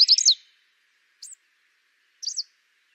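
Greenish warbler giving three high, sharp slurred chirps about a second apart, the first fuller and doubled, against a quiet background.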